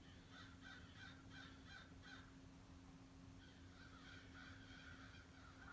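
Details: A big flock of at least 60 crows gathers at a bird feeder one morning. Harsh caws come in a quick run of about six, then a short pause and another series, over a steady low hum.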